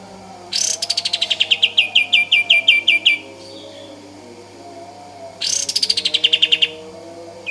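Kapas tembak singing two long rolling phrases, each a quick series of about fifteen bright, high chirps that slowly fall in pitch, with a faint hum underneath.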